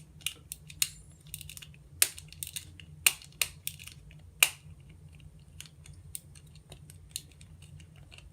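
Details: Sharp, irregular clicks and crunching snaps in a quiet small room, like something being chewed or broken, with no calls or voices.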